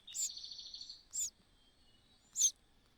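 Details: A common cuckoo chick that is bullied by its small host bird and left unfed. It gives a long, high, pulsed trill, then two short, sharp, piercing chirps with pauses between them.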